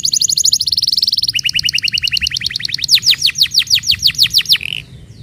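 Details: Canary used to lure a stubborn, silent canary into singing: high rapid trill, a lower steady trill of rhythmic pulses, then loud downward-sweeping whistled notes roughly four per second, ending in a brief buzz.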